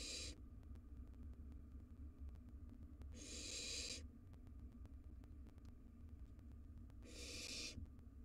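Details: Barn owl nestlings, wild, squabbling over a mouse inside a nest box: three rough, noisy hissing screeches spaced about three to four seconds apart over a constant low-pitched hum.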